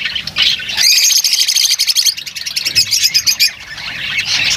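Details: Dense, continuous high-pitched chatter of lovebirds, squeaky twittering notes overlapping with few pauses.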